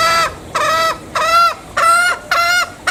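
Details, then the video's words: Bali green junglefowl calling in loud, evenly spaced nasal notes, about six in three seconds, each a flat-topped harmonic tone with a slight rise and fall. "Suara Ayam Hutan Hijau Bali"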